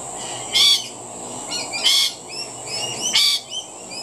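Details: Feeding rainbow lorikeets give loud, harsh, rasping screeches about every 1.3 seconds, with softer chattering notes between them and a constant high-pitched hum behind.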